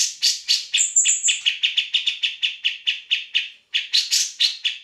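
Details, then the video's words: Grey-cheeked bulbul in vigorous song, used to train other songbirds such as magpie-robins: a long, rapid series of harsh chattering notes with a thin, high whistled phrase early on and a brief pause before more chatter. "Cak Jenggot Gacor"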